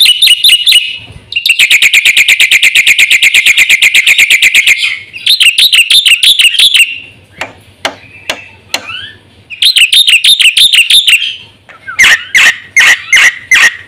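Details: Black-winged myna singing constantly with a full set of varied fill-in notes, used as a lure and training song for caged birds: loud rapid chattering trills and sharp repeated notes in bursts, broken by short pauses and single clicks.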